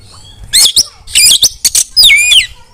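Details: Female Oriental magpie-robin, calling others of its kind to sing and scream: loud harsh buzzy bursts alternating with clear whistled notes that bend downward, delivered in short, tightly spaced phrases.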